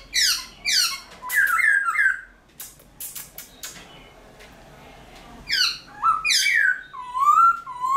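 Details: Bursts of dawn song from a caged black-throated laughingthrush (Garrulax chinensis), a training bird that switches voices: steep falling sweeps and bright whistles, a few sharp clicks and a quieter gap, then more descending whistled sweeps.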